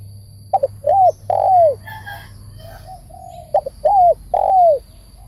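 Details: Trap-cage decoy spotted dove calling two phrases, each of clipped double notes leading into two drawn-out downward-curving coos, separated by gentle low cooing.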